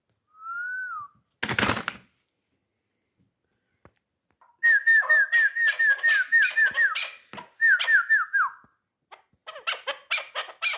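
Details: Hunting chukar partridge, three years old, called a dulan: a single whistled note, a sharp burst, then long trains of quick falling whistles that lead into clipped harsh notes.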